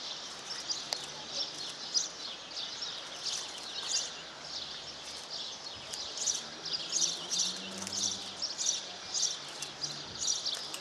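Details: One-year-old grey European serin F1 hybrid crossed with canary, 75% canary, singing alongside a white canary hybrid: a continuous high, rapid twittering warble of trills and chirps with faint background hiss.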